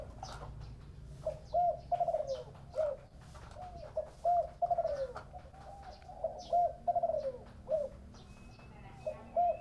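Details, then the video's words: Spotted dove with a 'thổ bầu' style voice cooing steadily, phrases of three or four soft, falling notes repeating every few seconds, while other small birds chirp faintly in the background. "Tiếng chim cu gáy giọng thổ bầu"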